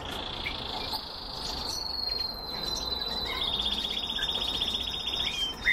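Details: Canaries from a breeding setting sing a continuous high, fast-rolling trill, joined midway by a second rapid ticking rattle-like phrase, with a few soft scattered chirps underneath.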